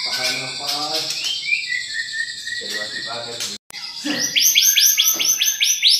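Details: Champion white-rumped shama (murai batu) with rich mimicked material: mixed high whistles and harsh chattering, a short break, then a fast loud series of rising looped notes repeated several times per second.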